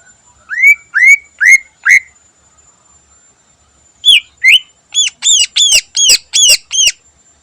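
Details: Greater green leafbird, known locally as cucak ijo, singing vigorously in the morning with a rich mixed song. Four rising whistled notes, a pause, then a quick series of about eight high, ringing, harmonic-rich notes.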